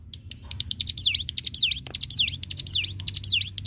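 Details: Hill Prinia, or ciblek gunung, singing as training song for other songbirds such as magpie-robin, leafbird and white-rumped shama. Short chips lead into loud, repeated down-and-up whistled swoops, about two each second.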